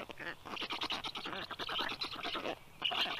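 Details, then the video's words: Black stork at the nest feeding her chicks, 10:37 a.m. on 18 June 2022: rapid, chattering, wheezy pulses run continuously, with a brief louder squeal near the end. "Must-toonekurg~Kaia is feeding her storklets"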